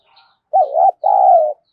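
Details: Urgent coo of a spotted dove used to lure wild doves: a short rolling first note, a brief gap, then a long, even, slightly descending hoarse coo, clear and close with a quiet background.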